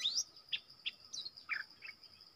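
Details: Streaked bulbul, a wild good-voiced forest bird, probably male, recorded as a decoy sound: a rising whistle followed by spaced, short slurred notes about every half second over a steady high insect drone.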